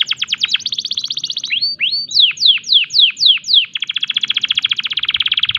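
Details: Canary in breeding condition singing: rapid trills of downward-sweeping notes, then slower loud slurred whistles falling in pitch, ending in a long fast buzzy trill; faint low background hum.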